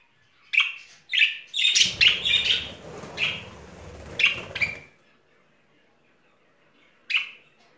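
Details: Budgerigar courting pair in spring: a series of quick chirps, partly overlaid by a rustling noise, then a pause and one final chirp.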